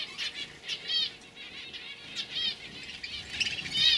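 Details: Young canaries from 2015 singing together, a fairly soft chorus of high warbled trills and chirps in bursts about every half second, with quieter gaps between phrases.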